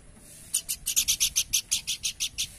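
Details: Horsfield's babbler giving a rapid run of about a dozen harsh, scratchy high-pitched notes, evenly spaced and fairly loud, over a quiet low hum.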